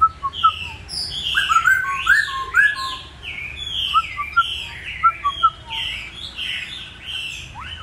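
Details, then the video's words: A caged laughingthrush sings loud, varied whistled phrases with rich slurred notes and quick repeated chirps, imitating the cuckoo's four-note call. "Khướu hót Bắt cô chói cột"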